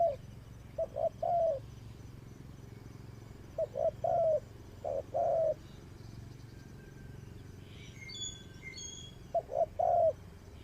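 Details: Spotted dove serving as a trapping decoy utters grouped soft coos, two short notes then a longer downward-sliding one, in bursts separated by pauses, with faint high chirps of another bird in the background.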